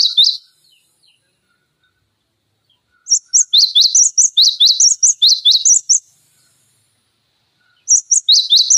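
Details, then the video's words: Tutor recording of a cinereous tit for training songbirds: a short chirp burst, a pause of nearly three seconds, then a long volley of sharp, high, rapid chirps before silence and a final burst. "Masteran Pancingan Gelatik Batu Gacor Full Isian Tembakan Tajam Durasi Panjang"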